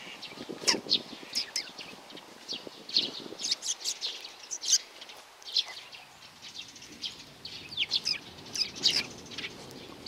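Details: A juvenile sparrow calls with bright, sharp chirps, some in close pairs, repeated irregularly over ten seconds with faint background rustle.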